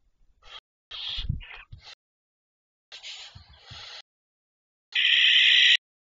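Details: Barn owls at 01:37 on 19 May 2023: a series of short hissing rasps, then a drawn-out harsh hiss, closing with a loud, rough screech lasting almost a second, with soft low thumps between the calls.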